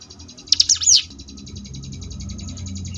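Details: Sunda bush warbler (ciblek gunung) song in the ngebrem variation, a tutor recording for contest birds: one brief burst of high swooping whistles over a steady, fast buzzy rattle.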